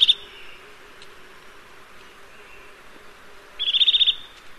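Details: Eurasian nuthatch: a clipped high note at the start, then after a quiet stretch a rapid trill of about eight bright, evenly paced piping notes, with a faint low hum throughout.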